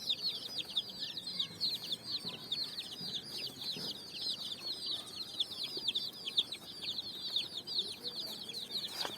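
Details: Many colourful chicks foraging on sand in the evening sun; an unbroken chorus of rapid, piercing peeps sliding downward, very dense from start to finish.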